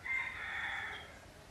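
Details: Red junglefowl near a pagoda by Teuk Chob Khnar Po Community Forest, Siem Reap, Cambodia, living wild: one hoarse drawn-out crow, harmonic-rich and level, fading after about a second.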